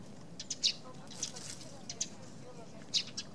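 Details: A Eurasian tree sparrow at a hollow in a poplar on Tatyshev Island on the Yenisei, Krasnoyarsk, in March 2017, gives a few short, sharp, high chirps spaced irregularly, with faint background noise.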